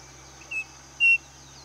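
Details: Saci, the striped cuckoo, calling once: a soft brief whistle followed by a loud, level, higher-pitched whistled note, with a constant high insect hum and faint low background noise.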